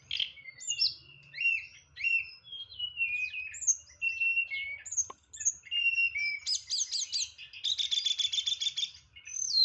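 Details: Loud white-rumped shama from Boyolali, Indonesia community, singing nyeklek style with varied fill: clear whistled slurs and short notes, ending in a dense buzzy rattling trill, faint low hum beneath.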